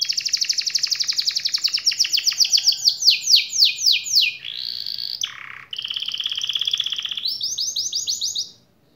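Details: Singing canary whose song is said to spur lazy, quiet canaries into rolling song: rapid trill slowing into repeated falling sweeps, then buzzy held notes and a final quick run of rising notes.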